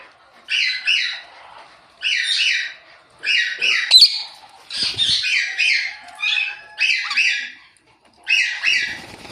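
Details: Rose-ringed parakeet, kept as a talking ringneck parrot, repeating harsh double-noted screeches roughly every one and a half seconds, seven bursts in all, with a soft thump and faint rustling between calls.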